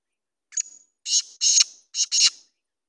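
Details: Black francolin (kala teetar) gives its call: a thin short note, then four loud, harsh, grating syllables in two rhythmic pairs, lasting about two seconds, in silence.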